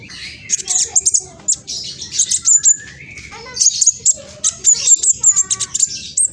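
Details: Spotted juvenile black sunbird, known locally as king konin, East Java, Indonesia, singing a fast, shrill provoking song on a phone recording: rapid bursts of very high, needle-thin chips and twitters, with brief gaps between bursts.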